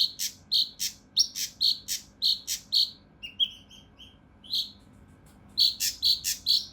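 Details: Mountain leaf warbler rough 'tembakan' song for training competition birds: a quick run of harsh chips, a middle stretch of soft thin whistles, then the loud raspy chips resume.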